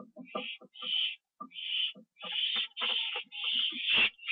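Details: Owl at the nest on 24 September 2011 at 7:39 PM, as food is delivered and eaten on the roof; drawn-out raspy hissing screeches of about half a second each, repeated with short gaps, mixed with brief low voice-like sounds.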